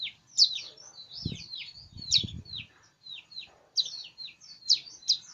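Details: Pleci (white-eye) singing persistently: sharp, high, downslurred chirps and twitters in irregular bursts, with a couple of dull low thumps in the background.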